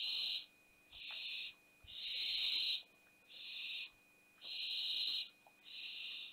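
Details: Barn owl family in a nest box at Théding, France, 20 September 2021, the day the youngest owlet dropped from the box. Six harsh, snoring hisses come at uneven intervals, some short and some near a second long.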